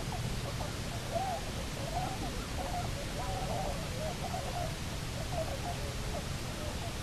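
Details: Cahows, a Bermuda petrel couple back on nesting island Nonsuch, Bermuda, 29 October 2018, via live cam: softer, broken sequence of wavering mid-range notes, with a steady low rumble underneath.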